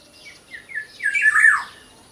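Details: Small local black-naped oriole utters a few brief notes that run into a harsh, buzzy phrase sliding downward, loudest near the end.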